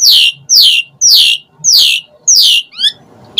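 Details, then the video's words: Asian pied starling in lure song with varied filler: five loud, harsh, downward-sweeping screeches at roughly half-second intervals, followed by a short rising whistled note. "Suara Kicau Jalak Suren Gacor Pancingan EMOSI Isian Variasi"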